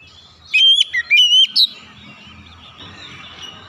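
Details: White-rumped shama song played to encourage other birds to sing: a short burst of loud, clear whistled notes near the start, rising and falling with sharp upward flicks, then quiet background murmur.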